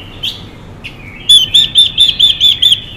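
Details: Female Chinese hwamei calling to excite males: a few faint chirps, then a quick run of seven loud, arched, whistled notes, about four per second, over quiet background hiss.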